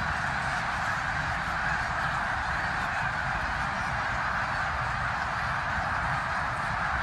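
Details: Thousands of migrating snow geese in Bath, eastern Pennsylvania, on January 19, 2021, call without pause, their high nasal barks and honks merging into one steady, roaring chorus.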